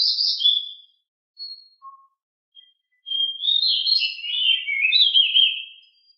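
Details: Pied bushchat (decu) raised at home, singing on a training master recording: a short buzzy burst, scattered thin notes, then a long scratchy, warbling phrase of descending slurred notes.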